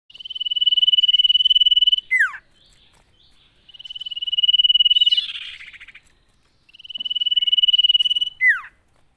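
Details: Common iora singing energetically, used to lure other ioras into song: a long buzzy pulsed whistle on one steady pitch for about two seconds, ending in a sharp falling slur, repeated three times with short pauses.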